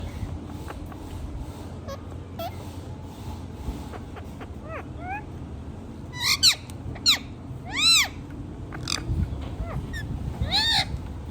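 Rose-ringed parakeet giving four loud, shrill, arching screeches in the second half, over a steady low background hum and a few faint clicks.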